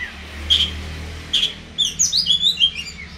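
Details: Oriental magpie-robin: two sharp whistled notes, then a fast burst of twittering, slurred notes over a low background hum.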